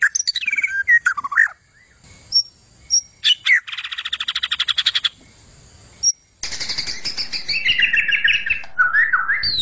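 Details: White-rumped shama pouring out intense gacor song: swooping whistles, sharp high notes, a fast rattling trill, then rich warbled phrases with a mild background hiss.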